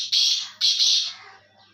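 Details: Black francolin, known locally as Kala Teetar, giving two loud, harsh, rasping notes in quick succession, each about half a second long, the second trailing off into quiet.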